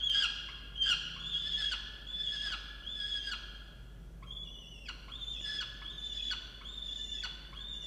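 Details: Peregrine falcon at a nest box in a water tower, Orange, New South Wales, Australia, November, angry at her mate over missing breakfast; rasping, drawn-out wails repeated roughly once a second, with one longer steady note midway.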